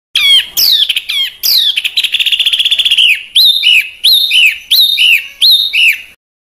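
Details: Small bird recorded as harsh 'besetan' master song for training caged and contest birds in rough 'tembakan kasar' style: sharp downslurred whistles, a fast even trill, then repeated rising-and-falling whistled phrases about once per second.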